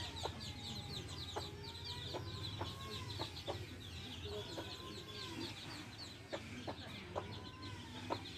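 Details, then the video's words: Baby chicks with a hen, quiet and distant: repeated thin upslurred peeps and soft clucks, heard through a steady hum and hiss. "Hen sounds | chicks sounds | relaxation sounds | hen videos | baby chicks chirping sounds"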